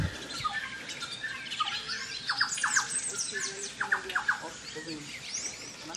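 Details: Orange-cheeked parrot recorded on 14 June 2024 at Jardim da Amazônia, Mato Grosso, Brazil: harsh squawking notes in quick doublets and triplets, overlaid by higher whistled chatter from other birds throughout.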